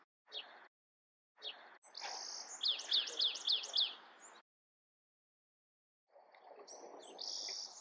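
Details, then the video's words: Bewick's wren song: scattered high chips, then a quick run of sharp repeated notes forming a trill, silence, and a sustained high buzzy note near the end over broadband background noise. "Beautiful Bewick's Wren Songs |Calling | Singing!"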